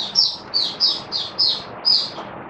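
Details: Caged oriental white-eye giving its buka sing opening song: six high, thin chirps spaced about every third of a second over a constant low hiss.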